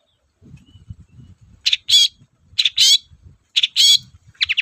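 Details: Long-tailed shrike in energetic song, used to provoke other shrikes to call: paired scratchy chirps repeated in bursts about once a second, over a soft low rumbling in the background.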